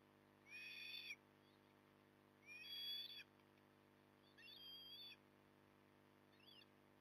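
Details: Osprey at Port Lincoln, morning of 9 October 2020 at 08:23: three strong whistled calls about two seconds apart, then a fainter fourth call, over a steady low background hum.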